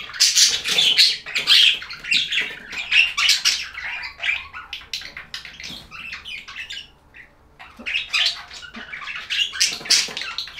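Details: Budgerigars chirping, in a relaxing recording of budgie sounds: dense, busy warbling with scratchy, buzzy chatter and bright squeaky notes in rapid overlapping bursts, pausing briefly near the middle before resuming.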